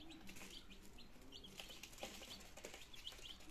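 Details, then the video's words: Peeping of nineteen healthy domestic chicks on their second day, recorded in Germany on 17 September 2022 as they begin trying to eat and drink; faint, short high peeps scattered over steady low background rumble. "My Chicks in second Days - Meine Küken in der zweite Tag"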